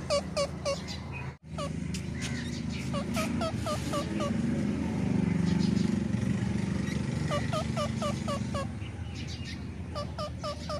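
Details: Green and white ringneck parakeets give quick bursts of harsh, nasal, hooked squawks, several a second, in three flurries over a steady low rumble of background noise.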